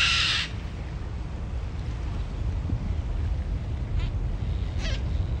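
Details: A group of yellow-crested cockatoos, non-native to Singapore and most likely released pets, met on a hike along Changi Beach: one loud, harsh screech, then two fainter rasping calls later over a steady low rumble.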